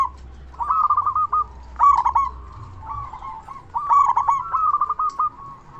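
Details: Local zebra dove with a big voice, used as a lure so other zebra doves answer: rhythmic stuttering coo phrases at steady mid pitch, repeated in bursts, over low background rumble.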